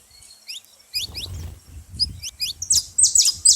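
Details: Saffron finch calling at a feeding spot, starting with scattered thin high chirps over soft low rumbling, then growing into louder, quick runs of sharp bright notes near the end.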